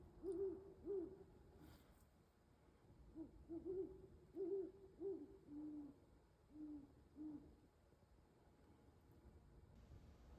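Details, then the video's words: An owl hooting just before dawn beside an ice-covered pond in Carver, Massachusetts, done hunting for the night; soft low hoots in an uneven series, two close together, a pause, then about seven more, over a quiet background. "Owl Hooting That Night is Over Just Before Dawn"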